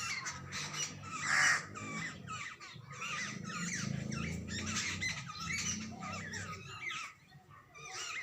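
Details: Jungle babblers, chicks and adults together, give dense, harsh, scratchy chattering calls that overlap almost continuously over a low background rumble.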